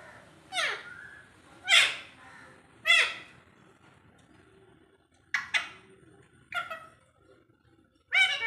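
An Alexandrine parakeet talking: about seven harsh, raspy, speech-like bursts, some in quick pairs, separated by short pauses over a faint background hum.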